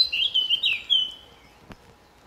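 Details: Male Eurasian blackcap on territory at RSPB Fowlmere, May; a short fluty phrase of clear whistled notes fading out within about a second, then quiet with a single click.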